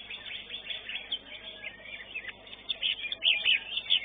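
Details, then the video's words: Greater green leafbird singing at a bird song contest, winning first place in its class: dense, rapid run of high chirps and twittering trills with sharp whistled accents, mixed with other contest birdsong. "JUARA 1 CUCAK IJO"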